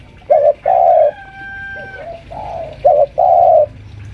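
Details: A caged spotted dove, a senior lure bird about five years old kept at home, calling while pressing a rival: low hollow coos in short and longer notes, about five phrases in four seconds, with a faint steady tone behind.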